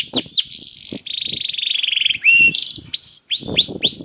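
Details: Canary (kenari) prompt song: a few sharp sweeping notes, a long buzzing rolled trill, then clear rising whistles repeated in a slow series, with soft taps beneath.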